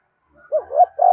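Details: Spotted dove "gáy thúc" urging coo, played so captive birds call along all day: a short phrase of three low, hollow coo notes, the last one longer and steady.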